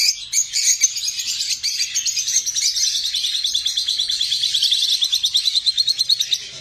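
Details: Lovebirds give a continuous high, squeaky chatter that becomes a fast, pulsing run of sharp chirps near the end. No other sound intrudes.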